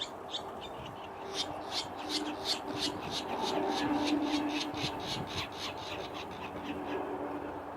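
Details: Virginia Rail, a tiny secretive marsh bird hiding in reeds, giving sharp, desperate cries: a fast run of harsh, clipped notes about three per second over a low steady hum.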